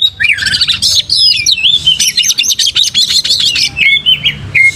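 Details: Kacer, the Oriental magpie-robin, in full prolific song meant to coax tail-spreading: a fast, unbroken stream of bright high chips, twittering trills and short whistled slurs, ending with a few clean downslurred whistles.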